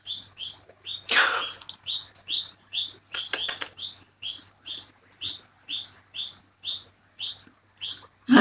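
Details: A neighbourhood lorikeet perched outside a bathroom window during rainy weather gives a steady series of shrill, high chirps, about two each second, with a couple of brief rushing noise bursts in between.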